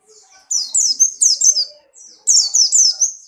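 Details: Caged white-eye of the Buxtoni type in strong breeding condition, hopping about. High bright song in two loud bursts of quick falling whistled notes with slurred warbles, separated by a short pause, plus faint softer twitters before.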